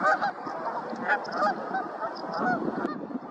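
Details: Canada geese watched at Woods Edge Park giving loud nasal honks. Several honks come in uneven bursts, some doubled, over a soft background murmur.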